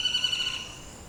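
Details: Rufous Woodpecker (Micropternus brachyurus) recorded at Jhor, Kathmandu, Nepal, giving a single high, nasal, steady note lasting about half a second, then fading into quiet background hiss.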